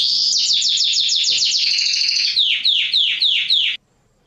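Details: Mosaic canary male singing for mating stimulation and chick training: quick series of descending slurred notes, a dense buzzy stretch, then slower loud downward-swooping notes about three per second, ending abruptly.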